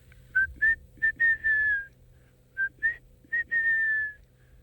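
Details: Fiery-necked Nightjar calling at night in the African bush, unseen, on a cooling evening after a hot day: two liquid whistled phrases, a few short upslurred notes then a long, slightly quavering, gently falling whistle, with a low hum beneath.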